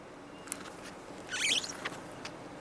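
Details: A young Red-tailed Hawk on the Cornell University campus, Ithaca, New York, July 6, 2024, calling to its mother as she perhaps coaxes the young to follow, gives one short, raspy, hissing scream over steady traffic hum and faint clicks.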